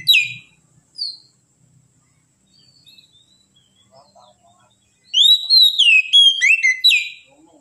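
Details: Oriental magpie-robin (kacer) song played as training for a steady ngedon singing style: brief high chirps at the start, faint low notes midway, then a loud run of rich whistled, swooping phrases with sharp slurred notes near the end.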